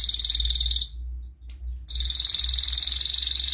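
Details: Canary in breeding condition, calling out to a rival: a long, very fast buzzy trill of high repeated notes, broken by a short pause and two pure whistled notes before the trill resumes.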